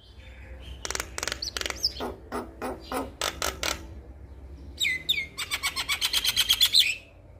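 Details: Calling male Javan myna addressing a female: a run of dry, clicking rattles first, then a rapid, buzzy trill of quick repeated notes lasting about two seconds before stopping.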